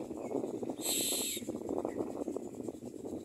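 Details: Common myna at its nest while bringing food to its young gives a harsh, screechy squawk of about half a second over a steady background of rough, chattering notes.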